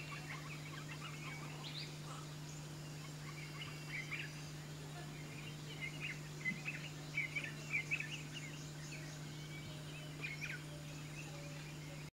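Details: In grassland in southern Africa, a crested francolin gives harsh, scratchy chattering bursts that cluster in the second half, over a constant low electrical hum.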